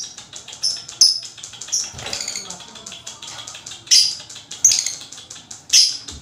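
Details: Lovebird in long chattering meant to spur other lovebirds: a rapid ticking clatter of dense high notes broken by a few louder shrill squeaks near the end, uneven rhythm, faint low rumbles underneath.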